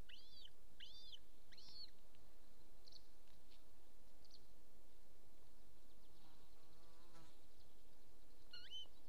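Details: Golden eagle at a nest in Estonia beside a military training ground, 26 April 2024, 13:50: three sharp arched yelps in quick succession, a few fainter ones, then one more yelp near the end, with a continuous high hum.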